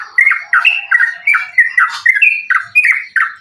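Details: Rapid fighting-style song of a sooty-headed bulbul, meant to provoke other bulbuls into singing: chattering, gurgling notes in a fast even rhythm, roughly three per second, with short upward flicks.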